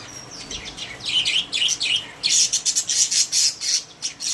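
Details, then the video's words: Pet budgerigars in a cage, a thin whistle at first, then rapid scratchy chirps building into a fast, busy chatter of sharp notes. "My Happy Budgies | Spreading Love in the Cage"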